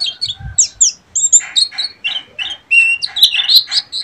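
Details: Buxtomi Oriental white-eye singing ngeriwik, loud and close, with high squeaky slurs giving way to harsher, scratchy twittering notes packed densely together.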